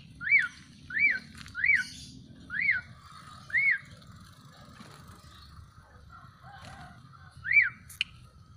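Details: Black-collared starling after being bathed and sun-dried. Five quick arched whistles come roughly once a second, then a long pause with soft chatter, then one more rising-and-falling whistle. A faint low background hum runs throughout.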